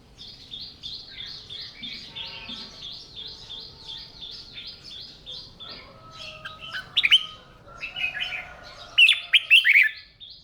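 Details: Morning voice training of a caged red-whiskered bulbul: a steady pulsing, repeated high chatter fills the first half, then sharp, loud whistled phrases break in near the end.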